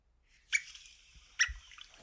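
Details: A Long-billed Dowitcher's flight call, the sound heard when the birds scatter and fly, with two sharp, high, thin keek notes about a second apart over a faint low background rumble.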